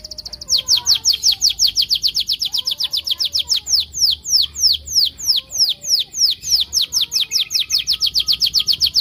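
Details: Canary song serving as a lure to get other canaries singing: continuous high, sharply descending whistled notes repeated rapidly and evenly over nine seconds.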